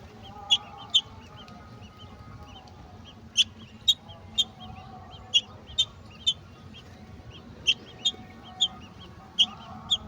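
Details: Golden oriole at the nest with a mantis for its chicks: crisp high chipping notes, some in close pairs, roughly seventeen spread over ten seconds, quiet steady background.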